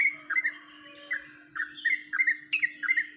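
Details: Ropelan-style song of a yellow-vented bulbul from Jombang, unusual for the species: short clusters of warbled, downslurred notes in quick pairs and triplets, with a constant low hum beneath.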